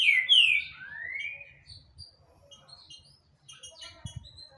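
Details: Green-winged saltator singing a lot: loud downward-slurred whistles open the phrase, followed by a long rising whistle and then softer, scattered high notes over faint low background hum.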